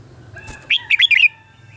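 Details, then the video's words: Morning training song of a red-whiskered bulbul: a single quick phrase of about five clear, bubbly whistled notes, slightly descending, after a soft rustle. "Luyện giọng cho chào mào hót sáng"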